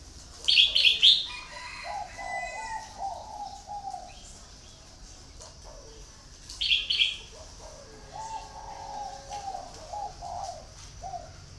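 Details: Red-whiskered bulbul serving as a decoy for luring delivers brief, ringing whistled phrases about six seconds apart, while steady low cooing of doves continues underneath throughout.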